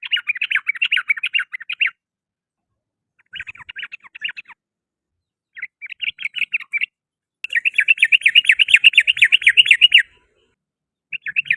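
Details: Yellow-vented bulbul singing in the afternoon: loud chattering bursts of rapid notes, each lasting one to two seconds, with gaps of about one second between them and one longer, denser run near the end.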